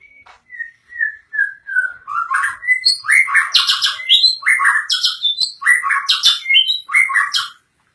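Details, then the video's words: White-rumped shama in full, vigorous song: opens with soft sliding whistles, then loud rich phrases repeated about every second, mixing falling whistles with sharp high chips and trills. "Suara burung murai batu gacor"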